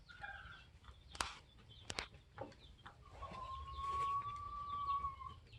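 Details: Polish layer hens, 21 weeks old, kept with a protective rooster; sharp clicks and knocks early, then one long steady whistled tone held for about two seconds over soft clucking.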